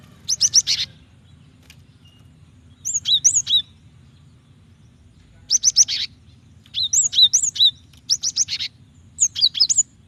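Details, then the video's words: Cinereous tit female calling a male to spark his song: repeated bursts of rapid high chirps and slurred whistles, six groups spread over ten seconds, each packed with several quick notes, faint hum below. "Gelatik betina gacor memancing bunyi"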